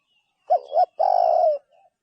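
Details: A single spotted dove phrase: two short rising coos in quick succession, then one long, steady, slightly descending coo, followed by a faint soft note.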